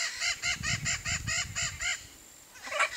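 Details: Blue-and-yellow macaw camouflaged in a tree in the Brazilian Cerrado; a fast run of about eight harsh, nasal, harmonic squawks over two seconds, a brief pause, then one louder rasping squawk, over a low rumbling background.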